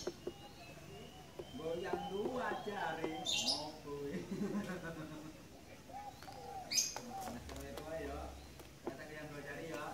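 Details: Local wild zebra dove song, played as a lure to provoke other doves, heard as low wavy gurgling coos repeated through the recording, with voices talking alongside and a few sharp knocks.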